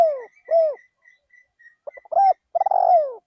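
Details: Decoy spotted dove calling in an open rice field: deep mellow descending coos, a quick stuttered run of short notes, then a long rolling tremulous coo sliding downward; faint thin high chirps from another bird behind.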